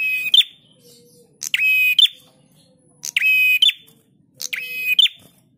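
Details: Caged-bird training recording of a prinia: four long, flat buzzy phrases, each ending in a sharp high accent, spaced about one and a half seconds apart, with a faint low whine between them.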